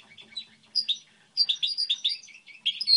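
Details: Goldfinch hybrid singing a model song: jumbled twittering notes building into dense, quick chirping phrases with high clear whistles at the close.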